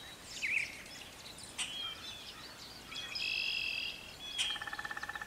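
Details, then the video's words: Brown thrasher singing in a garden in spring, its return marking planting time; varied whistled and scratchy phrases, a sustained high note, then a rapid buzzy repeated series at the end, with soft background noise. "A Brown Thrasher Singing in the Garden"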